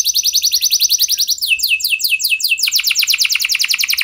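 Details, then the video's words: Canary singing as a lure for other canaries, a fast high trill that slows into sweeping downslurred notes, then speeds into a rolling rapid series. "Pancingan Ampuh Banyak Burung Kenari Cepat Bunyi Gacor Dengan Suara Kenari Gacor Lagu Unik Ini!"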